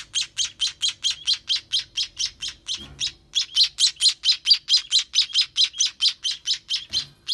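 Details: Sparrow nestlings begging as they are fed, a loud, regular train of shrill chirps around two per second, with a brief pause and a low rustle in the middle.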